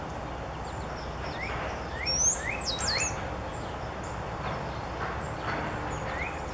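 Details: Backyard birds on a spring morning, filmed with a Canon PowerShot SX50 HS, give quick upslurred chirps roughly every second, plus a brief burst of very high twisting notes, against constant low background rumble.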